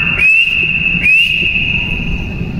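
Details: Two calls from a partridge, each an upward-sweeping whistle that flattens into a long, steady, slightly buzzy tone. The second call is drawn out for more than a second, over faint low background noise.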